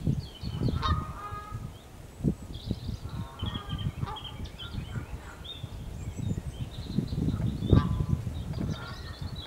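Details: Canada geese in the New Forest, several honking in overlapping bursts of harsh, harmonic calls, with high chirps from small birds and a low rumbling background throughout.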